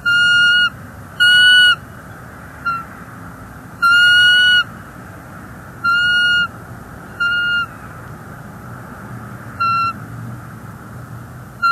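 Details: Nesting female bald eagle, NEFL, January 30, 2024, protesting an intruder eagle perched nearby: an irregular series of about eight level, whistled harmonic notes of varying length, some long and loud, others short and softer.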